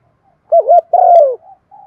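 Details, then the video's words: Single phrase from a spotted dove lure bird in Thổ voice: two short wavering low coos, then one long, slightly rough coo sliding downward, followed by a faint quiet note. "tiếng cu gáy mồi chuẩn gáy gọi dùng kích bổi vang cả buôn làng"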